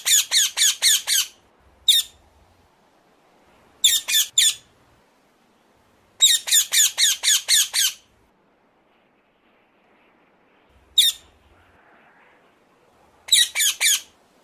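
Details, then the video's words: Loud, grating screeches from a ring-necked parakeet, delivered in rapid runs of four to six notes, then pairs and single calls, with long silent pauses between the bursts. "ring neck parrot calling song"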